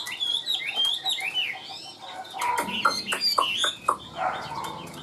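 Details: Tame caged Chinese hwamei sings an even, varied song. Clear whistled slurs are followed by rapid, sharp, choppy notes and quick jumps in pitch, with a few clicks near the end.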